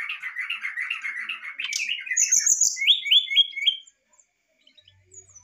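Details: Brown-chested jungle flycatcher fluting varied song meant to coax a reluctant bird to sing: a warbling, rolling mid-pitched phrase, then high whistles and a repeated series of rising-falling whistled notes, ending in near silence.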